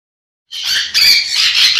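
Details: Sun conure letting out a loud, grating screech that starts abruptly after a moment of silence, then breaks into rough, sustained shrieks.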